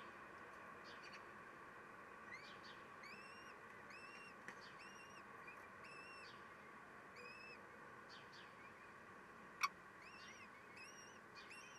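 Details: Common kestrels at a nest box in May, with seven chicks hatched, during a 12:45 feeding where the male steals food: thin, high, arched whining calls about once a second over electrical hum and one sharp click.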